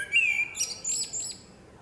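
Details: Female common blackbird singing in a forest: a short fluted whistle slides gently downward, then breaks into a high, scratchy twittering flourish that fades away.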